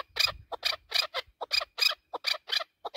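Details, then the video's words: A chukar partridge in the mountains gives a fast, harsh series of clucking chuk notes, about three per second, steady and loud, with no other clear sounds. "Хониши Кабки Маст"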